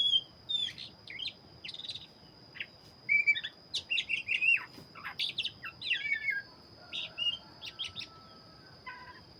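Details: Black-breasted Oriental magpie-robin singing vigorously: short bright whistled notes and chirps in separate bursts, some sliding down and some rising, with brief pauses between phrases. A steady high electrical whine runs throughout.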